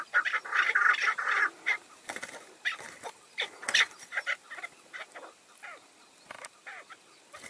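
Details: A tethered chukar decoy draws in wild males. An opening second and a half of loud, harsh calling gives way to sparse, sharp chuk notes and clicks.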